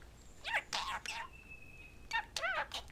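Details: A talking pet parakeet says "Love you baby, you're adorable" in a raspy, buzzy voice: quick clipped syllables in two bursts, with a faint steady whistling tone in between.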